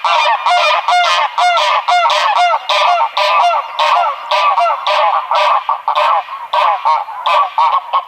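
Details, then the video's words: Greylag goose honking steadily: loud, harsh, nasal honks come in a fast, uneven stream of about two per second, with no other sounds. "SOUND OF A GREYLAG GOOSE"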